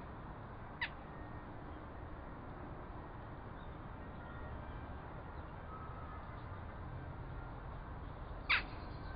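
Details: A western jackdaw on a limestone rock ledge near Grenoble, Isère, in April 2014 gives two short, sharp 'tchak' calls about eight seconds apart, caught by a video trap over a steady low rumble of wind.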